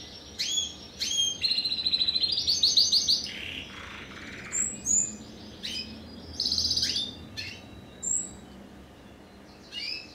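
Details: A 2015 first-generation Timbrado Español × wild canary cross sings bright, high, rapid trills and metallic rolling phrases in one-to-two-second bursts, separated by brief pauses, over a faint low hum.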